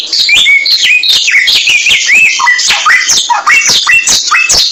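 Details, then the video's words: Samyong bird song used as a training track: varied whistled notes, some flat, some upslurred, others dropping, mixed with crisp chips in a lively, unbroken sequence. "Mastran burung samyong"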